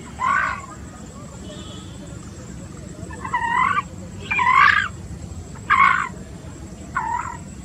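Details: American coot calling: short harsh, nasal honking bursts, about five spaced over several seconds, some doubled, above a low steady rumble of background noise.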